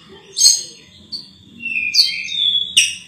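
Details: Ruby-throated bulbul with clear whistled notes and sharp bright accents, some slurred downward, spaced irregularly over a quiet background hum.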